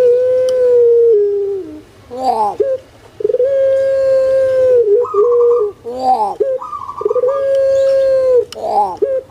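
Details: Captive puter pelung collared dove from Indonesia, recorded to stir lazy birds into calling: repeated long, even coos with a falling tail, separated by short rough gurgling notes, plus faint bird chatter behind.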